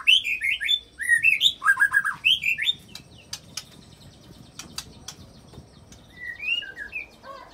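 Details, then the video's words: White-rumped shama pouring out mimicked cililin and canary-roll phrases to goad other shamas into song; loud rapid looping whistles for almost three seconds, scattered clicks, then a few soft slurred notes. "Langsung Emosi Bongkar Isian Murai Isian Cililin Sambung Kenari Ngerol Panjang"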